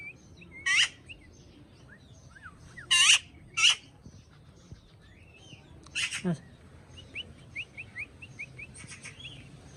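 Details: A domestic talking parrot makes a few spaced harsh screeches, one dropping into a rattling low tail, then a string of soft whistled chirps at the end.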